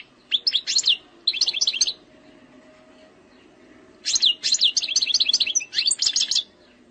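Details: An Algerian European goldfinch (Carduelis carduelis) sings two bursts of quick, liquid, tinkling twitters, high and jumbled, separated by a few seconds' pause, over a faint low hum.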